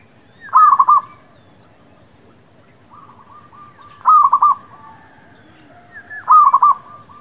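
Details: Local zebra dove (merbuk kampung) lure song for trapping: three rolling cooing phrases spaced about three seconds apart, with fainter trailing coo notes and soft high twittering in the background.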